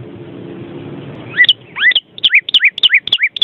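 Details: Vermilion cardinal giving quick two-part whistled notes, each a rising slur with a sharp upper tip. After a second of quiet low rumble, they repeat about three times per second.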